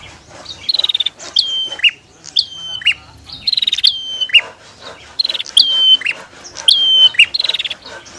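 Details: Female and male Bar-winged prinia calling against each other: sharp high notes drop into flat whistled tones and buzzy trills, with bursts repeating about every second over a quiet background.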